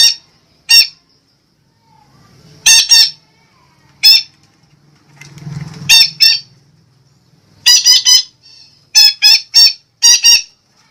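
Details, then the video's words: Sumatran red-breasted parakeet calling as a lure sound: harsh, grating squawks given singly or in quick clusters of two to four, separated by pauses of up to two seconds, with a faint low hum in the gaps. "SUARA BURUNG BETET SUMATRA PEMIKAT"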